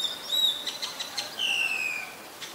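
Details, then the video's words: Common myna recorded in Ubon Ratchathani province, Thailand, 20 March 2022: a rapid run of sharp whistled notes, then a long clear whistle that slides gently downward, followed by a faint short note. "นกเอี้ยงสาริกา (Common Myna)"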